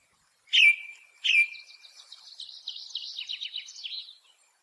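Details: Ring ouzel, a thrush breeding in Germany in the Alps and higher uplands: two loud clear whistled notes followed by a long fast buzzy trill of high repeated notes, clean and free of other sounds.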